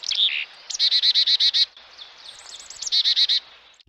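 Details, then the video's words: A chickadee gives an alarm call: high introductory notes, then two rapid runs of harsh, buzzy dee notes, about eight per second. "Chickadee alarm call"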